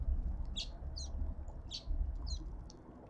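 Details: At a garden feeder in suburban Pretoria, South Africa, cut-throat finches utter bright, high chirps in small bursts roughly every half second, with a low background hum throughout.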